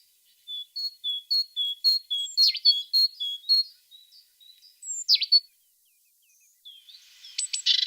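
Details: Evenly spaced, pure high whistles from a singing tit, about eight in a row, followed by a few slurred notes, a short silence and a dense, scratchy burst of chatter at the end.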